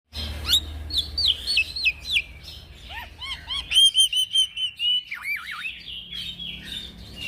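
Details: Young black-winged myna singing in the lively, continuous 'gacor ngeroll' style used as a training lure for other birds: varied clear whistles, sliding and looping notes, quick upward-flicked phrases and short repeated chirps, with a faint low hum underneath.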